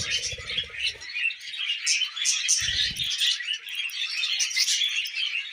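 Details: Tame budgies eating millet, producing a constant high, buzzy twittering chatter, with low rustling or pecking noises at the start and around the middle.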